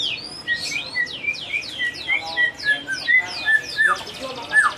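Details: White-rumped shama producing an odd song: a steady series of downslurred whistled notes, about two per second, each with a high swept chirp, ending in falling whistles.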